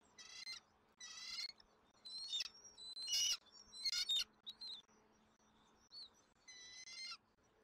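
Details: Bald eagle eaglet being fed dinner at its Southwest Florida nest, caught on a nest camera on 13 January 2024: uneven bursts of shrill, harmonic squeals and chittering notes, some louder and more broken, with quieter calls near the end.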